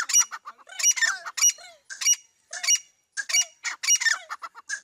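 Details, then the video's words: Bhora teetar, a partridge, repeating harsh bright call bursts roughly every half second to second, each with a sliding low note beneath rasping upper harmonics. "Bhora teetar ki awaz"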